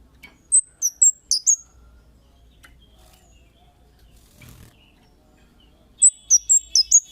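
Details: Kemade call used as a lure to make other birds respond. A short run of five shrill falling chirps opens it, followed by a quiet stretch with a faint knock, then another quick run of high chirps.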